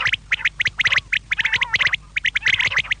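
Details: Quail calls meant for the evening: quick series of sharp, squeaky clicks in pairs and triplets, almost nonstop, with one lower drawn-out buzzy note in the middle.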